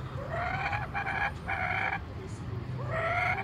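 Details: Kookaburra in Brisbane, Australia, being spoken to by a man: four harsh, harmonic bursts, the first and last rising, each under a second long, over low background rumble and his voice.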